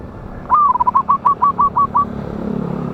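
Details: Local wild zebra dove with a big voice, a lure for trapping, recorded 11/8/24. One phrase of a slurred opening note and about eight evenly spaced, clipped whistled notes over a quiet hum.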